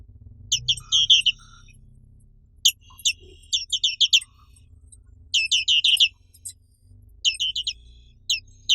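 Black-capped White-eye singing high, rapid twittering bursts of sweet chirps, in phrases about a second long with short pauses, over a low steady hum.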